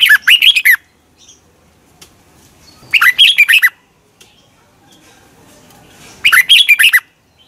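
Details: Morning practice song of a caged red-whiskered bulbul kept for lure training: three short bursts of rich, slurred, bouncing whistles, each under a second, spaced about three seconds apart with quiet pauses between.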